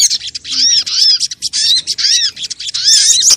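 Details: Lure call of the crimson sunbird, meant to draw birds in and set them singing; rapid high chirps and down-curved notes crowd together in a nearly continuous, lively chatter.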